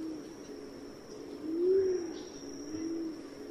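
A pigeon gives a soft, low coo that swells and fades, followed by a quieter second coo, over a steady high hiss in the background.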